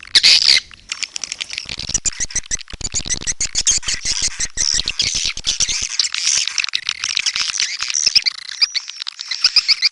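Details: Swiftlets, burung walet, open with a loud high squawk, then a long stretch of fast ticking clicks under faint twittering, with chirps swelling again toward the end.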